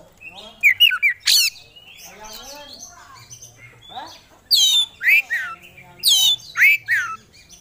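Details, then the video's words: Oriental magpie-robin, known as kacer among bird hobbyists, sings loud descending whistled swoops in groups, with softer twittering and scratchy notes between them. "Kacer Gacor Bongkar Isian"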